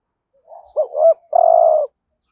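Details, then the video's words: A single phrase from a decoy spotted dove calling in the 'hạp bổi' voice to attract wild doves: a faint murmur, two rising swoops, then a sustained, buzzy, trembling coo lasting about half a second. "Tiếng cu gáy mồi ĐỦ BÀI GỌI THÚC GÙ Giọng HẠP BỔI kích bổi nhanh nổi"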